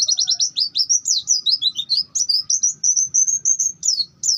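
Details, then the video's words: A long-tailed shrike pours out its bongkar isian song for masteran training: quick clipped high notes at first, then longer sliding whistles and a run of steady level tones near the end, delivered in fast succession. "Ngalas panjang bongkar isian."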